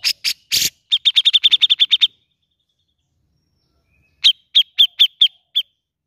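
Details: Grey-cheeked bulbul song used as a lure to stimulate a reluctant bird to sing: a few harsh broadband bursts, then a fast run of about eight clipped chirps, a pause, and six more spaced chirps.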